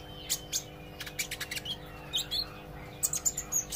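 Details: Olive-backed sunbird practising song and chatter: quick high twittering with clustered sharp chirps and a few short slurred whistles, livelier toward the end, over a low background hum.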